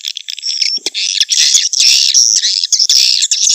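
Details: Swiftlets calling for a swiftlet-nest business: dense, high buzzy chirping and twittering that runs almost without pause, with brief drops in loudness and a few sharp clicks.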